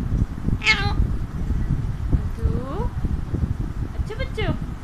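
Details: Pet Alexandrine parakeet perched on its owner's hand, talking: harsh, harmonic-rich squawky bursts and short rising whistled notes, with a low background rumble.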